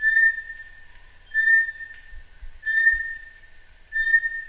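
Bartlett's Tinamou gives four pure, level whistled notes, each under half a second, about every 1.3 seconds, over a steady high insect-like hiss.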